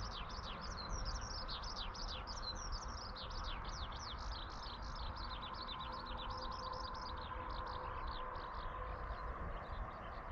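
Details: Skylark singing while hovering high overhead in breeding season, a territorial display: dense, continuous warbling of quick chirps and slurred high notes that never pauses, over a faint low hum and distant rumble.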